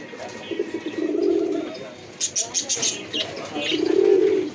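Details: Low, throaty pigeon coos, one early and one near the end, with a burst of short higher chirps and clicks from other birds between them.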